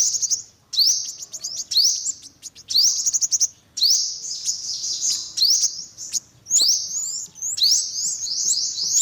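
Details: High-pitched calls of an olive-backed sunbird: sharp rising sweeps, each running into a fast thin trill, repeated in bursts about a second apart.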